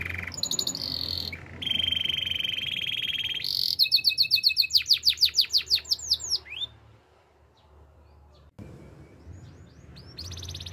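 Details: Canary singing as training material: a buzzy roll, a bright sustained trill, and a run of falling sweeps. A near-silent gap follows before the song starts again.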